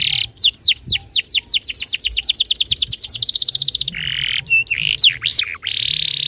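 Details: Canary tutor song for training other canaries: descending whistled notes accelerating into a fast rolling trill, followed by a harsh buzzy passage with sharp upward and downward sweeping whistles.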